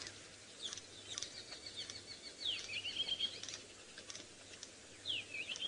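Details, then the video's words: At sunrise on 20 January 2018 in Sabi Sand, South Africa, white-crested helmetshrikes mobbing a Wahlberg's eagle, likely near their nest, snap their bills in dry clicks between bright chattering chirps, over a low engine hum. "I don't know if you folks can hear the bill snapping of the helmet shrikes. This little click, click, click."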